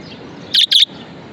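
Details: Single pair of loud, raspy budgerigar chirps in quick succession, the two short notes split by a brief pause, against soft steady background hiss.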